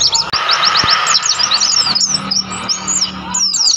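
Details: Wild mountain white-eyes in the mountains of Mount Lawu, Tawangmangu, chatter in rapid, high, thin chirps and short slurred notes, several birds overlapping, over a steady hiss of background noise.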